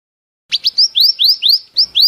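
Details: Scarlet minivet lure sound for trapping birds: a quick series of about eight sharp, high rising whistles, each sweeping upward, delivered evenly in under two seconds against silence.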